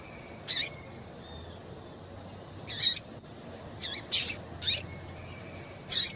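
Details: A female seedeater (papa-capim) gives six short, bright chipping calls at uneven intervals, a call used to stimulate males to sing, with faint thin whistles from other birds behind.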